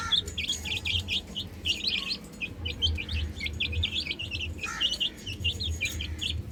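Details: Baby chickens playing on a roof, chirping: many high, thin peeping notes in quick irregular runs, several chicks calling over one another, with a steady low rumble underneath.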